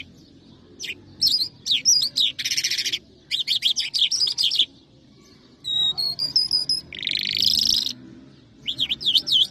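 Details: Singing lark in the Mashadi jal style from Iran or Afghanistan: loud, varied phrases of rapid scratchy trills, dry buzzes and sweeping whistled notes, broken by short pauses, with almost no background noise.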